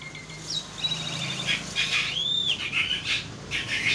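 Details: Asian pied starling (jalak suren) in vigorous, puffed-up song. Thin whistles and a long, high arching whistled note mix with scratchy chatter that grows denser toward the end.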